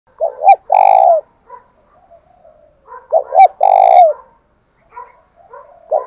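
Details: Spotted dove in the Vietnamese 'thổ pha' singing style, used to provoke a captive bird into singing: a loud three-part coo of two short hooked notes and a long, rolling, down-slurred note, repeated about every three seconds, with faint chirps between.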